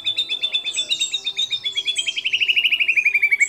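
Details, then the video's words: Persistently singing white-rumped shama with borrowed phrases of sooty-headed bulbul, cililin, lovebird and canary, used as training material: a rapid pulsed trill of about four notes per second that gradually drops in pitch and grows louder. "Murai Batu Gacor Isian Kapas Tembak Sambung Cililin Lovebird Kenari Dll"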